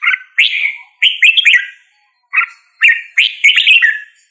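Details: Bright whistled song of a red-whiskered bulbul: a few quick, liquid, up-slurred phrases, a short gap, then another lilting cluster of rising and falling notes.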